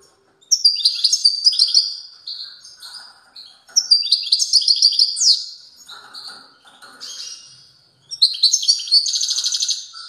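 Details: Strong song from a European goldfinch: three successive bursts of fast, jangling twitters and buzzy trills, each phrase a couple of seconds long with quieter notes between.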